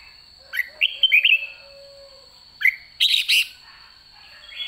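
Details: Late-season white-cheeked red-whiskered bulbul giving 'ché' song: a warbled whistled phrase, a single rising note, then a harsher burst of notes, against a steady high-pitched background tone.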